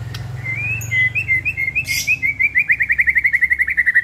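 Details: White-rumped shama song used as a morning lure: a fast run of clear whistled notes near one pitch, about 3–4 per second, speeding up and growing louder, over a low steady hum.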